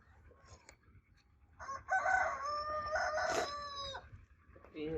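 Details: Crowing competition rooster giving a sustained, rich, harmonic crow of about two seconds with a slight wavering middle section, above low rumbling background noise, with another brief call at the end.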